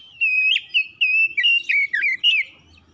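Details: Oriental magpie-robin song to provoke other birds into singing: a sequence of clear whistled notes at a steady pitch with small bends and dips, given in quick succession.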